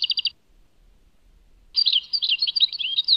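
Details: European goldfinch song labelled Tadmait: a brief rapid trill, a pause of silence, then a fast twittering phrase of liquid chirps and slurred notes.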